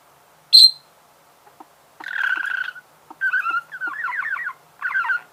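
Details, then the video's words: Singing budgerigar: a sharp high squeak, then buzzy chatter and rapid rising-falling twitters in several phrases, with faint soft ticks between. "Пение волнистого попугая"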